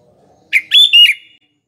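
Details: Sooty-headed bulbul, a recording used as a morning, afternoon and night lure, giving one quick phrase: a sharp note followed by two warbled, liquid fluty notes.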